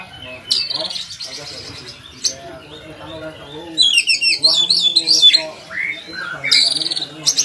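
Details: Kacer or Oriental magpie-robin song meant to tutor other kacer birds: harsh chattering bursts and, midway, a fast series of whistled rising-falling notes, with low humming noise throughout.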